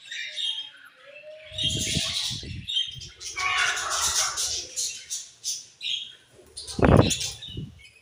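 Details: Colorful budgies chirping as a group, with a dense mix of high, scratchy chirps and squawks, a short whistled note near the start, and several low thumps or knocks in between.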